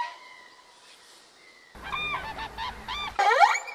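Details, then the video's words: Common cranes at their spring gathering at Hornborgasjön, Sweden, late April, with around 1000 birds remaining; faint distant calling, then loud overlapping trumpeting calls and low rumbling noise in the second half. "Hornborgasjön: Cranes & Others"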